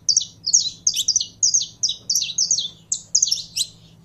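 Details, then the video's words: Saffron finch kept in captivity and warmed up for singing, delivering a rapid string of bright, high chirped syllables, roughly one burst per second, over a soft low hum. "Canário da Terra Esquentando em 3 2 1!!!"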